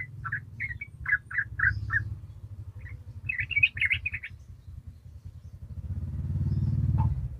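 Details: Yellow-vented bulbul in ropel song, used as a lure for young birds: evenly spaced gurgled notes, then a quick bubbly burst, before a loud low engine-like rumble swells and covers the rest.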